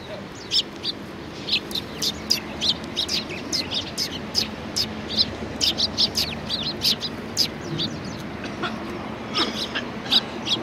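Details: A flock of Eurasian tree sparrows feeds together at a Tenmangu shrine, April 19, 2019. Dense, continuous bright chirping comes from many birds at once, quick and uneven, above a faint low rumble.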